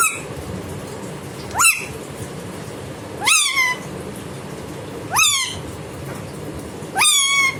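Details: Indian ringneck parakeet kept as a pet, sounding like a cat during play: five nasal, harmonic meows rising then falling, roughly every two seconds, over a steady low background hiss.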